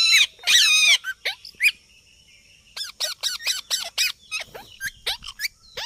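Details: Talking parrot with a sweet voice gives a rapid run of shrill, harmonic squawks and slurred whistles, the first long and strained, the rest short and falling, repeated more than once a second against a faint background hiss.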